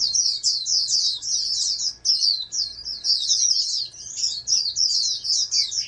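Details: Oriental white-eye from a breeding setup, kept as a future national champion, delivering an almost unbroken stream of thin, high chattering notes, briefly pausing around two seconds, then rushing on; a faint continuous hum lies underneath.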